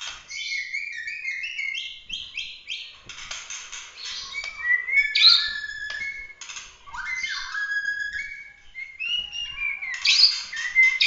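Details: Bahorok-line white-rumped shama in emotional competition song with 'tembakan' phrases: a rapid, unbroken medley of varied whistles, chirps, fast trills and rasping harsh bursts, loud and dense throughout.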